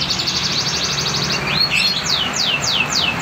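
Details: A young ringed singer canary (banner/bernoise type), just starting to sing well, gives a rapid high trill, then clear down-slurred whistles about three per second over a low background hum. Finding: Belgian canary.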